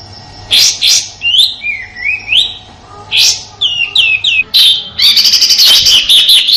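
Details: Rough shooting song of the sooty-headed bulbul, a master bird in Indonesia for training magpie-robins and contest birds: quick fluty whistled phrases broken by harsh scratchy bursts, ending in a sustained rapid grating rattle.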